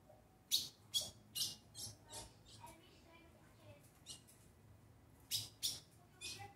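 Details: Ultramarine grosbeak coming out of moult: sharp, high, scratchy notes in quick runs of about two a second, broken by a short pause midway, with little else heard.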